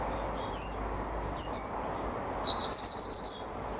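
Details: Red-rumped Parrot in a family's aviary, being very vocal: two short high whistled notes falling in pitch, then a quick run of about seven clipped repeated whistles, over faint background hiss.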